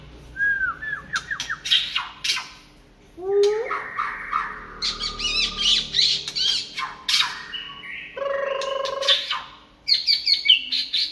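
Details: White-rumped shama song in the late afternoon. A varied stream of rich whistles, rapid chattering trills, harsh squawky notes and sweet slurred phrases comes in bursts with short pauses over about eleven seconds.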